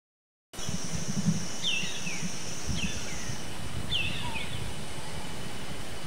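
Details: A wild Black baza (Aviceda leuphotes), calling and preening, gives three shrill, down-slurred whistled notes about a second apart over a steady low rumble and a faint high hum.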